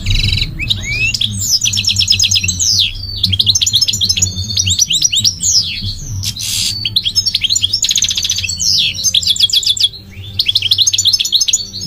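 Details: An extended goldfinch song: tumbling high twitters, fast trills and sliding chirps in busy phrases separated by brief gaps, with a low background hum throughout.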